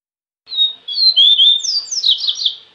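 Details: Double-collared seedeater song used to warm up kept seedeaters. It is a continuous high warble that begins with thin whistled notes and builds into fast, jumbled chirps and slurs, with a faint low hum underneath.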